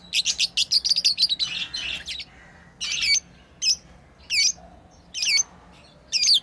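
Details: Pet lovebirds at play give a fast run of about a dozen shrill chirps, then spaced single harsh calls roughly every second.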